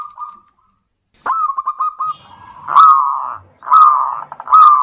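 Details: Zebra dove song as a lure for other birds, local strain: after a pause, a clipped series of quick coo notes, then longer rolling, vibrating coos repeated several times.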